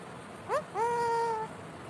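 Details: Pet Indian ringneck parakeet, described as super talkative, producing a short upward yelp followed by a long, level, tonal voice-like note lasting about two-thirds of a second in a quiet room.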